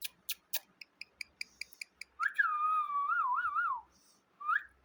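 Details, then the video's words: Parrot giving a run of rapid clicks, then a long wavering whistle that warbles up and down, ending with a short rising whistle. "parrot magical talking"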